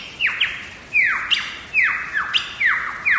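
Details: Wild lyrebird song from Megalong Valley, Blue Mountains, Australia: loud, ringing downward-swooping whistles repeated over a second apart, each sliding steeply from high to low pitch, often doubled, with little background noise.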